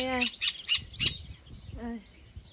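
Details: Sun conure, known as pineapple conure, uttering four rapid harsh screeches followed after a pause by one rasping nasal squawk with rich harmonics.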